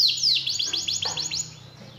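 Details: Canary singing, meant to provoke a silent canary into song: a sharp falling whistle, then a quick series of about eight repeated swept notes that fades away at the end.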